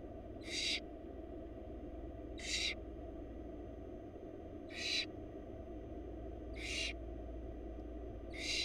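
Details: Wild barn owl young begging in a Florida nest box as their mother feeds them: five short harsh hissing screeches repeated about every two seconds over a constant low hum.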